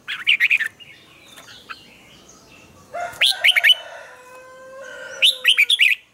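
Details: Red-whiskered bulbul morning training song, used as lure-bird sound for teaching other bulbuls, in the tight twisted double-note style: three bursts of short, bright, warbled chirping phrases separated by quiet gaps, with a faint steady hum underneath.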